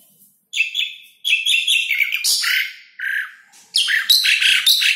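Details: An Asian pied starling sings a lively, jumbled run of squeaky whistles and harsh chattering notes in bursts of about a second with short pauses; the recording is meant to stimulate lazy starlings and lure wild ones.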